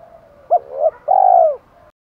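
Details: A single spotted dove phrase, recorded as challenge calling and calling to hens: a short hooked coo, a second brief note, then a drawn-out mellow crooning note that drops at its end, over faint background hiss.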